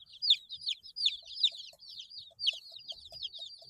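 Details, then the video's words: Several 8-day-old chicks chirping: loud, shrill descending whistles in irregular bursts, some notes rising then falling, with faint soft ticks in the background. "Chicks Chirping Sounds - Baby Chicken Sounds"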